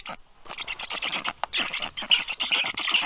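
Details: Black stork at a nest in Karula National Park, southern Estonia, at 7:05 am on 30 June 2023, as the female brings fish to her chicks; rapid, harsh, rasping pulsed chatter, dense and uneven, with short pauses.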